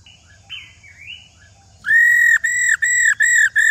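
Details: Faint wavering whistles open the recording before an old wild female laughingthrush breaks into its rò call, a fast run of five level, pure, piercing whistled notes with brief breaks between them.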